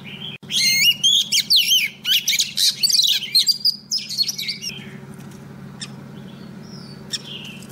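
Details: Female Oriental magpie-robin calling a male, a lure bird: a dense four-second burst of fast chattering, whistled slurs and scratchy notes, then fading to sparse faint chips over low background hum.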